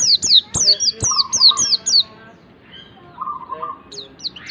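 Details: White-eye song played to coax a bird into singing: quick string of shrill, falling whistled notes with a lower buzzy trill underneath, then a quieter second trill and scattered high notes.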